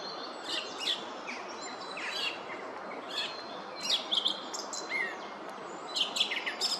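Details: Song thrush giving a full song in woodland at Oostvlietpolder on 24 February 2021: a string of short, varied phrases, several repeated two or three times, with sharp high chirps and whistles, over light background noise.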